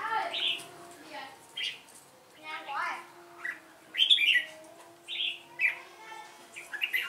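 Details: Red-whiskered bulbul in a singing contest, giving quick successive whistled and warbled phrases, some loud and sharp, with a faint background voice and hum.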